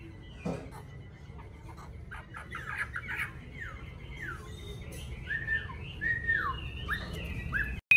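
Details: Caged yellow-billed Chinese hwamei kept at home in Vietnam: a run of bright whistled notes and slurred downward glides, fairly soft, over low background hum.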